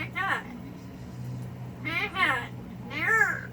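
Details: A pet yellow-naped amazon (Amazona auropalliata) indoors, "going off" and complaining, gives three loud, speech-like, harmonic outbursts about a second apart over a low indoor hum.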